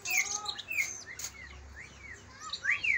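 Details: Song of a greater green leafbird, Kalimantan and Banyuwangi birds set against each other, used to coax other leafbirds to sing: sparse sharp whistled chirps and upslurred notes spaced through the clip, with a brief clicking sound.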